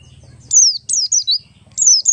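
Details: Buxtoni Oriental white-eye, ngalas song played as a lure so other white-eyes start singing fast: three long, shrill whistles each falling from very high to lower pitch, the middle one doubled, over a soft low rumble.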